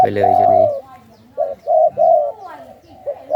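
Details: Caged spotted dove from a Thai 'sai khu ang' breeding line, its father said to double every phrase: a drawn-out coo, then short coo notes and another long one, with a man's voice at the very start.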